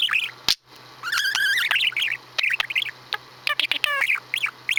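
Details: A male budgie kept as a pet babbles his imitation farty noises. Continuous squeaky twittering is punctuated by clicks and a short, tonal, harmonic rasp.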